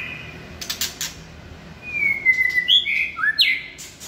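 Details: White-rumped shama judged as a singing-competition candidate, delivering a drawn-out falling whistle followed by rapid bright, looping high notes in quick succession; a few soft knocks precede the song.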